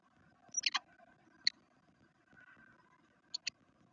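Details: Black redstarts at a nest in a garden in Veszprém, Hungary, on day 2, giving short, dry ticking clicks in scattered clusters of two or three, with a low hum in the background.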